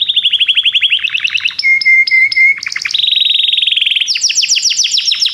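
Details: Belgian canary song of fast rolling trills, a steady whistled tone broken into short segments, then quick repeated notes and a higher trill at the end.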